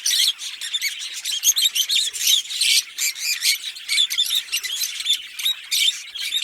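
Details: Green Fischer's lovebird pair chirping and singing, a fast chatter of high, rasping chirps and short whistled notes, evenly pulsing and continuous.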